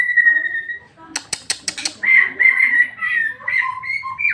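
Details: Song of a white-rumped shama played to stir another shama to sing: a steady level whistle, a few sharp clicks, then a series of full whistled notes.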